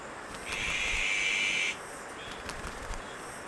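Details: Azure-winged magpie raising chicks at Maeji-ri, Wonju, Korea: one harsh, raspy, hissing begging note held for just over a second, over a steady high insect drone.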